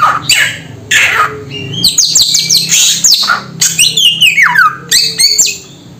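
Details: A samyong bird delivers bursts of chirps and squawky notes, including fast descending slurred whistles and clusters of sharp, high rising notes separated by brief pauses, over a low hum.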